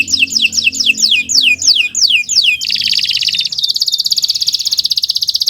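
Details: Canary delivering a long training song, opening with repeated falling whistled notes, then a dense buzzy roll that becomes a fast, even pulsing trill.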